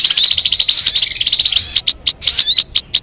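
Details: Sogon bird song from an MP3 used for luring birds: dense high chattering twitter with thin rising and falling whistles, breaking into separate sharp chips near the end.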